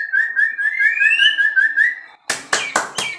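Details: White-rumped shama from a breeding aviary giving a quick run of repeated whistled notes slowly climbing in pitch, followed by several loud sharp tapping clicks.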